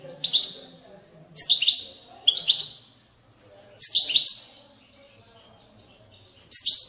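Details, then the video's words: European goldfinch twittering in the bitbita manner to spur goldfinches into song. Sharp high chirp clusters, some doubled, come with pauses of a second or more, and faint low hum behind. "أقوى بتبتة لتحفيز الحسون على التغريد"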